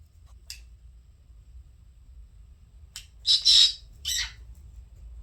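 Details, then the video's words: Two pet conures chirping indoors: a brief high chirp, then after a pause a cluster of three harsh, buzzy squawks close together, followed by quiet room hum. "Chirps and funny conure sounds"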